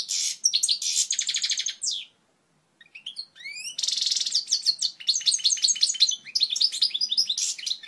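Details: European goldfinch singing its strong, pure original song, used to teach chicks: bright high twittering phrases and rapid trills, a brief pause after two seconds, then rising slurred notes leading into dense, fast, chattering trilled runs.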